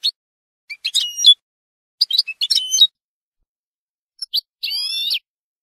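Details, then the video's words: European goldfinch singing in Málaga style, a 2022/2023 recording for teaching young goldfinches to sing: scattered high twittering notes and two drawn-out nasal buzzy phrases with stacked overtones, separated by silent gaps. "Nuevo CD malagueño para educar jilgueros"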